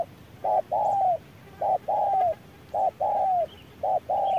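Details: Wild spotted dove and electronic decoy dueling in harsh midday sun; loud, full coos, a short note then a long gently falling one, repeated four times with pauses.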